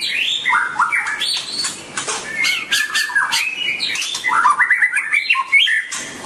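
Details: White-rumped shama described as dancing and singing delivers a loud, fast, varied song of clear whistles, rapid trilled runs and stepped phrases, mixed with sharp snapping clicks throughout.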